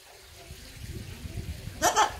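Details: A five-year-old talking macaw, taken outdoors and chatting with its owner, gives one brief, harsh, raspy word near the end, a hoarse Russian "kruto" ("cool"). Before it, only a faint low murmur.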